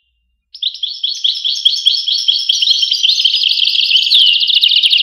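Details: After half a second of silence, a European goldfinch starts singing, its quick tinkling twitter growing louder and denser to the end.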